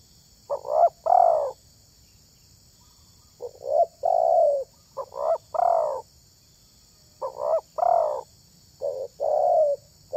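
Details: Spotted dove (tekukur) heard in a luring context: around five low, rounded cooing phrases of two or three notes each, spaced by brief pauses, with no other sounds.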